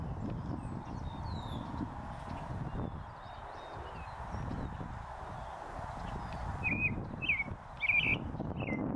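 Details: Leucistic North American robin singing from a post in a northern USA oak savanna. Four short warbled, caroling phrases come near the end, after faint high chirps from distant birds over steady low rumbling background noise.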